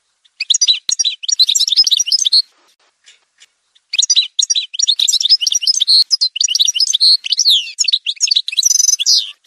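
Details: Sustained Algerian goldfinch song in a montage recording: dense, rapid high-pitched twittering and jingling trills over two long phrases split by a brief gap, closing with a buzzy rattle.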